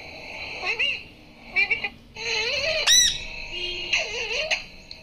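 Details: Parrot learning to speak in a room: short voice-like mimicked words with wavering tones and one sharp high squeak, over a constant hum.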